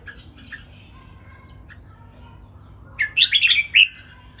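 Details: Three red-whiskered bulbuls sing against one another in a counted-phrase master song style. Soft distant notes come first, then a sudden bright burst of four or five quick whistled syllables after three seconds.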